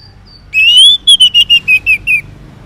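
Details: Orange-headed thrush singing in the morning, used as a lure for silent males: a long clear slurred whistle followed by six short descending whistled notes in quick regular succession.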